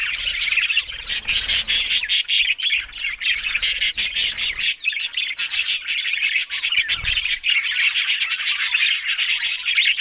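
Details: Talking budgies, an Australian parrot, give a steady stream of busy warbling and rapid ticking clicks, the chatter swelling and briefly easing around the middle before resuming at full strength.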